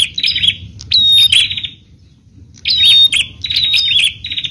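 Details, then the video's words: Bar-winged prinia singing, played to draw other prinias into calling: harsh buzzy phrases, each opening with a clear whistled note, two bursts split by a second of quiet, faint background rumble. "Burung Prenjak Mana Yang Bisa Diam Setelah Mendengar Suara Burung Prenjak Ini"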